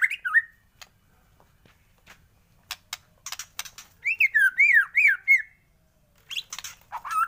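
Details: Morning song of a white-rumped shama: a short whistled phrase, a quiet stretch of faint clicks, then a run of bouncing up-and-down whistles and a final rising note.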